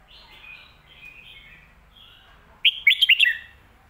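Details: Soft warbling notes lead into one loud, quick whistled phrase from a red-whiskered bulbul singing the popular 'Phat Kuai Tiao' master-song style.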